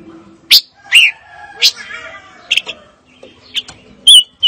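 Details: Fire-tailed myzornis giving sparse, separate high chirps, some sliding downward, with short pauses between them and two clear whistled notes near the end.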